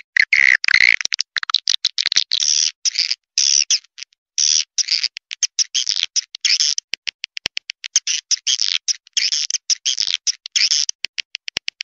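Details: Swiftlet lure sound played to draw swiftlets to a small, simple nesting house: dense runs of dry, buzzy chirps and rapid twitters in quick bursts separated by brief silences, continuing steadily throughout.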